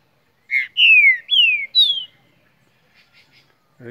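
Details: A young, two-year-old green-winged saltator (Saltator similis) from Mar de Espanha, Minas Gerais, sings a rich, clear whistled phrase of four slurred, downward-sliding notes over about 1.5 seconds; a voice briefly starts at the end.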